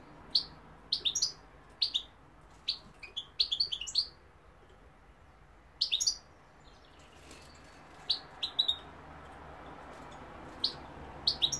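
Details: European goldfinch song, with London and Algeria given as places: short bursts of high liquid twittering notes in clusters of two to five, separated by brief pauses, against a low steady hum.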